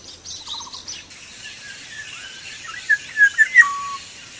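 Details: Black-naped oriole singing actively in the wild: after some faint high chatter, a few clear, fluid whistled notes near the end, the last slurring down and holding steady, over a steady high hiss.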